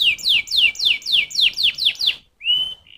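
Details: Domestic canary giving seven loud downslurred whistles in rapid succession, then a short pause and a steady clear whistled note.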